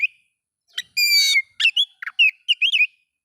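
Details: Oriental magpie-robin song meant to provoke rival magpie-robins, a harsh rich note then several short whistled slurs and chips in a quick, varied sequence.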